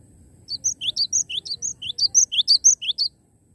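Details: Cinereous tit in vigorous song, about fourteen rapid high, whistled phrases over two and a half seconds, each a short upward slur tied to a level note, over soft low background noise.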